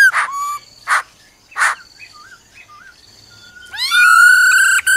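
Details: Female laughingthrush giving a "ro ro" call to stir up a male: three harsh, noisy bursts about a second apart, soft curling whistles, then a loud, rich, ringing whistled phrase that rises into a steady tone at the end.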